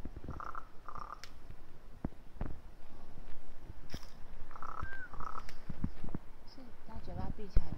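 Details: Raven giving odd calls: short, blocky, nasal bursts in pairs, with a brief whistled glide between them and soft knocking sounds, over heavy low rumbling background noise.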